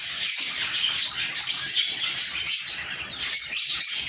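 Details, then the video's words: Lovebirds in a small aviary, many birds chirping at once: a thick, high, squeaky twittering that pulses slightly in loudness. "Love Birds Chirping Sounds"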